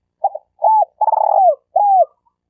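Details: Spotted dove used as a lure bird for trapping gives one complete coo phrase. A clipped double note leads into an arched hoot, then a long vibrating trill that dips downward, closing with a curved mellow coo.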